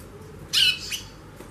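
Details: Female White-bellied Seedeater (chorão) calling busily: a single loud, harsh, rasping squawk spread broadly across mid and high pitches, followed by a weaker second note and quiet background hiss.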